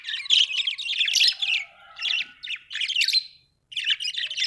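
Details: Budgerigar giving rapid, buzzy, high chirps and squawks in short clustered bursts, with a faint steady whistle-like tone in the background.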